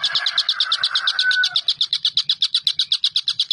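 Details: Collared kingfisher in a tutoring recording for caged songbirds such as white-rumped shama, green leafbird and lovebird. Quick, regular chattering notes repeat throughout, while a lower wavering tone with a short clear whistle fades out in the first second and a half.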